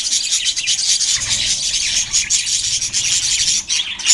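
A flock of budgerigars chattering nonstop in a dense mix of warbles, chirps and squeaks.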